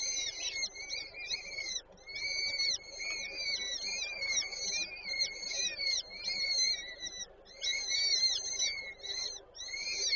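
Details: Peregrine falcons in Warszawa Żerań, Poland, 8 May 2023, female feeding young at the nest: steady stream of grating, wavering screeches, rough and overtone-rich, barely pausing over ten seconds.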